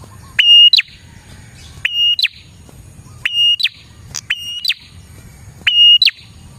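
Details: Energetic prinia song used for luring prinias: five phrases in steady succession, each opening with a dry click, holding a thin level whistle, and closing with a snapped, rising flourish, with soft background hum between.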